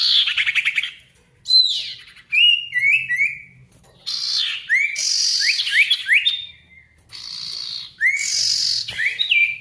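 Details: A sirtu singing energetically as a lure to make quiet birds call and answer a rival. Rapid stuttered notes give way to sharp upslurred whistles, falling slurred series and rasping buzzy bursts, all in quick succession.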